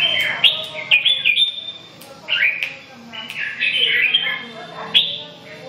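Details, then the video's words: A red-whiskered bulbul sings clear, slurred whistles and short warbles in several phrases, punctuated by a few sharp taps. "Kênh về chim Chào mào"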